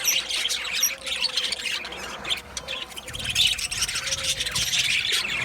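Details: Australian budgerigars in a colony aviary, with high chirps and thin whistles over a steady twittering background of many birds, rising again to a louder chatter near the end.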